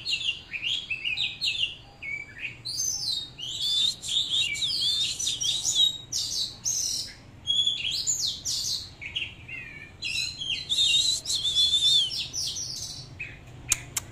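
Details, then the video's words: Oriental magpie-robin in full song while dancing: a long, continuous, rich warble of varied whistles, trills and slurred notes, rising and falling, with brief pauses between phrases. "chòe than múa hót"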